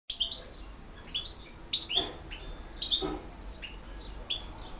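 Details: European goldfinch, a bird of the Bosnian type in the field-song style, singing: scattered bright twittering notes and short slurred whistles with sharp chirps spaced through the phrase, against a quiet background hiss.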